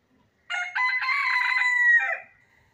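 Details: A single crow from a country chicken: stuttering opening syllables lead into a long, steady, brassy note that drops off sharply at the end. The crow is clean and close, with no other sounds.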